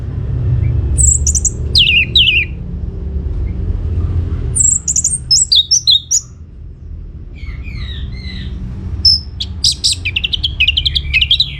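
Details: Energetic orange-headed thrush song aimed at provoking other birds to answer. Descending slurred whistles and rapid chattering phrases alternate with short silences, with a deep rumble underneath.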